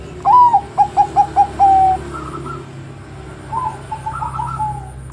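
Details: Singing Bangkok zebra dove, noted for provoking rival doves into song: a bright upslurred first coo, five quick short notes and a drawn-out final note, then fainter answering doves cooing in the distance.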